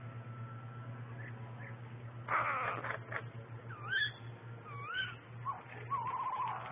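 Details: Eurasian jays near their four fledglings, agitated and diving at a man walking a pet rook by a river; cat-like wavering meows with bent, sliding tones, preceded by a harsh burst, over steady low hum.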